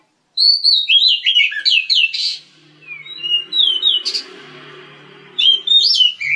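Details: A breeding pair of Oriental magpie-robins in an aviary; quick bursts of clear, varied whistled notes, some slurred up or down, in two phrases with a pause between, over a faint low hum.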